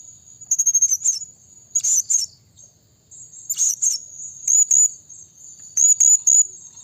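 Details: Blue-crowned hanging parrot lure call: very high, thin, squeaky bursts in quick clusters of two to four notes, spaced irregularly over a steady, shrill background whine.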